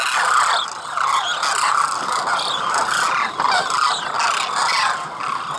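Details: A wintering flock of migratory demoiselle cranes in Khichan village, Rajasthan, India, calls continuously: many overlapping throaty, rattling trumpet notes form a thick, unbroken wall of sound with brief louder surges.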